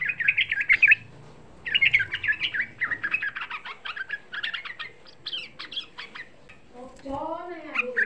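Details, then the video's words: Young yellow-vented bulbul lure song aimed at rousing other bulbuls: a long, busy chatter of quick slurred notes, then a separate, lower, descending wavering call near the end. "Suara Pancingan Trucuk Muda Ampuh Menaikkan EMOSI, Suara Trucuk Muda Bikin Semua trucukan EMOSI"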